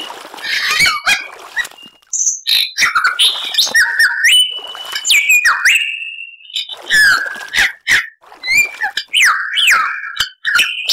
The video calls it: Lyrebird Song